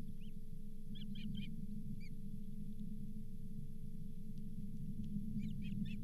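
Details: Osprey calling at the Charlo nest on 31 July 2023 while a lake whitefish, the fifth fish of the day, is brought in. Repeated series of sharp whistled chirps at the start and end, with a low rumble and hum throughout.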